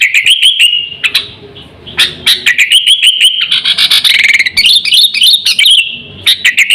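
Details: A sooty-headed bulbul calls vigorously in a recording meant to lure wild birds and train pet birds, with rapid staccato chirps over a sustained whistle and a long bubbling, warbling passage mid-way.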